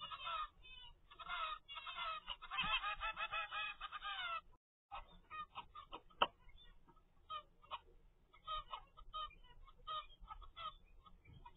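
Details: Young zebra finch, 25 days old, in captivity: a dense burst of rapid nasal chattering notes for several seconds, then a short break and scattered softer calls with some clicks.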